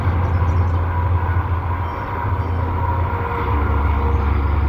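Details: Steady, loud low-pitched rumble like a passing train or heavy vehicle, with no animal voice heard.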